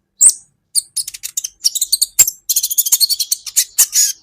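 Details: Brown-throated sunbird (kolibri ninja), recorded as training material for songbirds. After an opening thin whistle, the bird gives quick, high, sharp chirps that build into a continuous, busy twittering stream.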